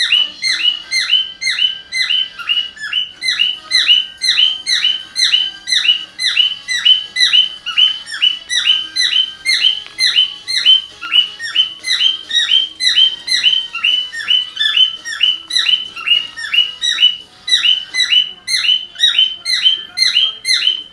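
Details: A male cockatiel adopted from an animal shelter mimics a whole multi-tone car alarm with fast, shrill, repeated chirps that never let up.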